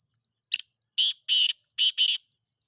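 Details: Black francolin calling: a short clipped opening note, then two long, harsh, grating notes, a brief gap, and another rasping pair, loud and close against a quiet background.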